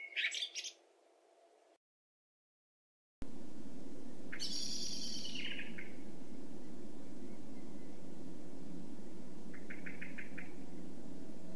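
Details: Common blackbird (Turdus merula) singing brief phrases: a fluty note running into a high, squeaky twitter, then a short rapid trill, over heavy low wind rumble.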